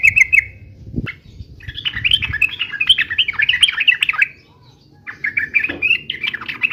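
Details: Fighting song of a yellow-vented bulbul, played to make other birds reply: a brief phrase, a knock, then nearly three seconds of busy tumbling chatter, a short pause and another chattering burst, with low background rumble.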